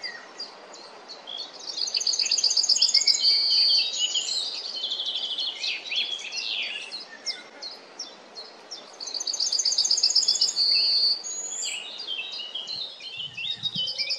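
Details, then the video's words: A Yellowhammer sings two full phrases about seven seconds apart. Each is a rattling series of high repeated notes closed by a long held note. Other birds chatter faintly between phrases. "Śpiewający Trznadel 🔅 Singing Yellowhammer"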